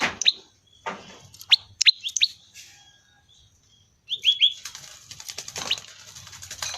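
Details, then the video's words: Prinia singing its 'ceng-ceng' song: crisp high chirps, some in quick doublets and triplets, broken by a short silence, with hissing noise and rustling in the latter half. "suara asli khas prenjak lumut(ceng2)"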